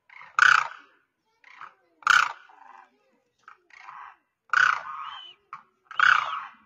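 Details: Demoiselle crane (koonj or karkara) on the ground calling to cranes flying above; four loud rasping rolled calls mixed with softer shorter croaks in between, fairly quiet background.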